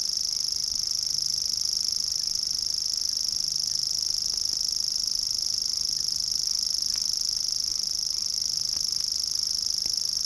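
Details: A Grasshopper Warbler in the water-meadows and coastal pastures of Matsalu, recorded in a 1979 field recording, reels without a break in a high, dry, insect-like trill held on one pitch, with faint background clicks.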